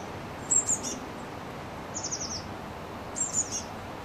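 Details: Blue tit fledglings leaving a nest box in Partille, Sweden, 12 June 2010: three brief bursts of very high, thin, falling peeps, spaced over four seconds, above a steady low outdoor hiss.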